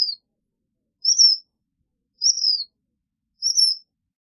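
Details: Black phoebe voice: high, thin, slurred whistles, each arching up and then falling, repeated roughly every 1.2 seconds in a quiet setting with no other sounds.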